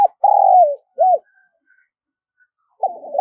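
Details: Spotted dove giving its lure call to provoke wild birds: a sustained mellow coo falling at its end, a brief arched note, then after a gap the start of the next stuttered phrase.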